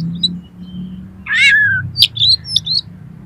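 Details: Oriental magpie-robin song for triggering a kacer to sing and spread its tail: a harsh descending buzzy note followed by sharp chips and short whistles, with a steady low hum underneath.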